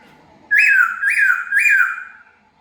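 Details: Laughingthrush free indoors for its first release, uttering three strong ringing whistles in a row, each starting high and gliding downward, roughly half a second apart, then fading.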